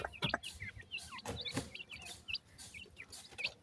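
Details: Several francolin chicks peeping, with quick high descending chirps overlapping in a busy run and soft knocks and rustling underneath.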